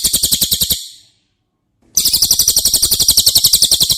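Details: Cililin singing as training audio for caged White-rumped Shamas. A high, rapid, pulsed trill cuts off, leaving about a second of silence, then resumes, loud and buzzy, at roughly ten pulses per second.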